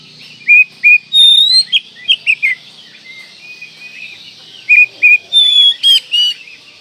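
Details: Kacer (Oriental magpie-robin) singing in the manjur style for bird tutoring: quick runs of clear whistled notes at varied pitch, a long sweeping whistle, a buzzy rasp near the end, repeated in bursts of about three notes a second.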